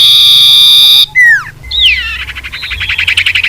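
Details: Common iora call for luring wild birds: a long steady piercing whistle, two downward-sliding whistled notes, then a fast stuttering trill that speeds up.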